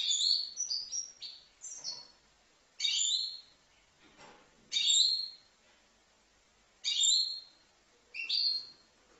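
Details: Five-month-old European goldfinch at Livno giving separate short bursts of high, tinkling twitters, each under a second long, spaced roughly two seconds apart with quiet gaps between.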